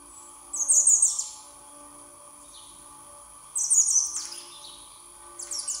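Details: Hungry young common blackbird (Turdus merula) begging: high, scratchy, wheezy bursts about every two to three seconds, each trailing downward, over a steady high background hiss.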